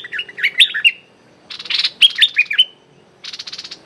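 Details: Streak-eared bulbul decoy calling toward a captive female bird: rapid chains of sharp, descending whistled notes between short buzzy rattling bursts.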